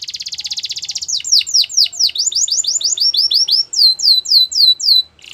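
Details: A Belgian canary sings in the morning, opening with a dense buzzy trill, moving into swooping notes and ending on slower, clear downslurred whistles.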